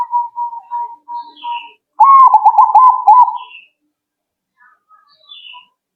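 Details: Zebra dove answering right away: a loud rolling cooing phrase of quick stuttered notes at about two seconds, preceded by softer trilling coos from another bird, with faint high chirps from other birds.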